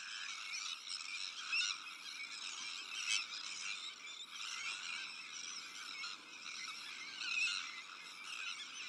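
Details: Breeding colony of Sandwich terns, shared with black-headed gulls, Arctic terns and common terns: a dense, continuous chorus of harsh, grating calls overlapping without pause, with a few louder rasping cries standing out near the middle.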